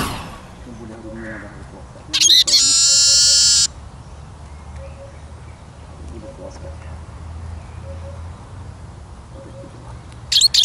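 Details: Eurasian siskin singing: a single loud, drawn-out buzzy wheeze lasting about a second and a half, with faint soft twitters and low background hum before and after it.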